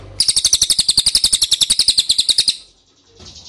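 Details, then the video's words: Ashy tailorbird call used as a lure to draw replies: a rapid train of bright, high-pitched chirping notes, roughly four a second, lasting over two seconds, then a faint chirp afterwards. "PANCINGAN CILILIN DIJAMIN NYAHUT!!"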